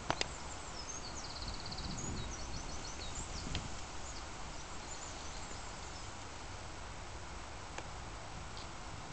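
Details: Reed bunting singing in the Gordano Valley, a wild bird, not caged; a quick series of short, thin, high notes fills the first few seconds, a fainter phrase follows later, over steady wind rumble.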